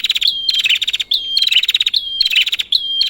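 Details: Prinia calling, played to provoke a bird that has stopped singing: dense buzzy pulse trains, each capped by a sharp high whistle, repeated four times in quick succession.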